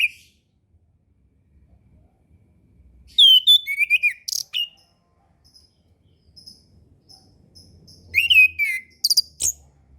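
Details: Orange-headed thrush song, a master recording to teach young birds to sing and to coax quiet ones after moulting: two bursts of rich varied whistles, twisting and slurring, separated by a pause with faint high notes.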